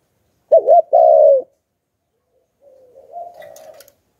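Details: Spotted dove with the 'Hạp Bổi' voice style, calling to lure wild doves: two loud, hoarse coos, the first wavering and the second a long, slightly falling note, then a softer, drawn-out coo after a pause.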